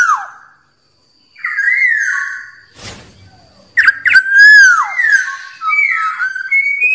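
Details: Wild black-naped oriole, its song used to lure rival birds: a falling whistle, a pause with a short hiss of noise, then bright slurred whistles with a crisp looping note and rising ending.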